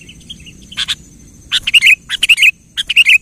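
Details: Gacor kutilang (sooty-headed bulbul) singing, meant to stir a silent bird to sing: short phrases of rapid, liquid whistled notes repeated about every half second to second, each phrase ending in a bright warble, with a thin constant high hum behind.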